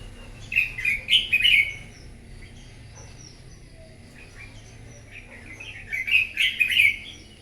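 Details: Red-whiskered bulbul, newly caught from the wild, in a morning singing contest: two lively phrases of chattering, warbled whistles about five seconds apart, separated by near silence and faint thin notes.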